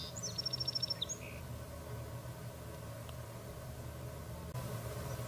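A quick, high, rolling phrase of about eight fast repeated notes, lasting a second, from a Common Yellowthroat. A steady low rumble of traffic follows.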